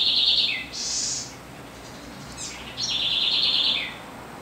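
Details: Corruíra, the Southern house wren (Troglodytes musculus), sings two powerful, buzzy, rapidly pulsed trills about two seconds apart. Each falls in pitch at its close, with a high, hissing note after the first and faint rustles between them.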